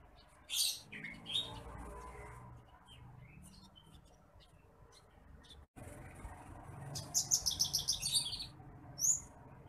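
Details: Bush lark, a rice-field bird, in a training recording for other birds: scattered high, thin chirps, then a rapid run of buzzy notes near the end and a final sharp chirp, with faint low rumble beneath.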